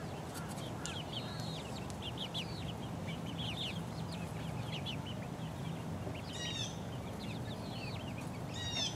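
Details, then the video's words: Chicks aged four weeks pecking around; scattered high, arched peeps come in loose clusters, a few sharper bursts near the end, over a soft noisy background. "4 week old chicks pecking around"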